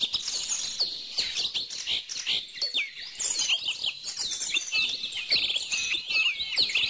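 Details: A busy chorus of birdsong: many rapid, high-pitched tweets and twittering phrases overlap without pause, with brief soft clicks scattered through the background.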